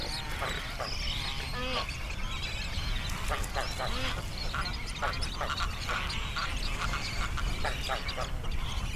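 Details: Young pelican siblings fighting each other. Harsh, throaty, honking squawks and grunts come in rapid overlapping bursts, with scuffling noise and a dense background din throughout.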